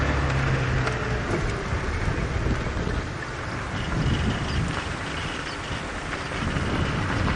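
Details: Steady wind rumble and engine-like noise, with no animal calls heard.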